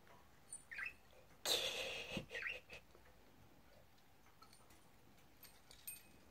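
Budgerigars give quick, warbling chirps with a brief burst of rustling noise.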